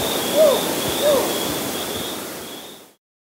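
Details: A Whiskered Screech-Owl (Megascops trichopsis) in a bark series gives two short, husky barks with a quick rise and fall, about half a second apart, over a steady background hiss.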